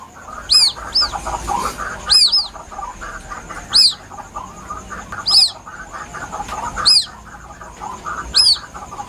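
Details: White-breasted waterhen chick calling plaintively, recorded for use as a hunting lure: sharp, high arched peeps, often doubled, repeated roughly every one and a half seconds over a steady high whine and soft lower chatter.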